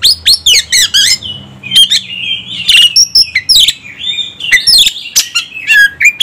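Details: Oriental magpie-robin provoked and excited, singing loudly: dense rapid runs of sweeping notes, drawn-out warbled whistles and sudden harsh strokes, with barely a pause between phrases. A soft low hum runs beneath.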